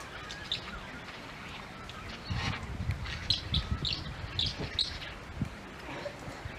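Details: A Northern Fantail at Edith Falls, Northern Territory, Australia, on 31 July 2022, gives a series of short, high chips and squeaky notes, roughly one every half second, over steady rushing water and a low background rumble.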